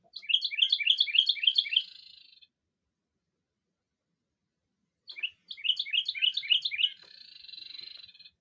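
A Carolina Wren gives two loud, rolling bursts of song, each a quick run of about seven repeated ringing phrases, with a short buzzy note closing the second burst.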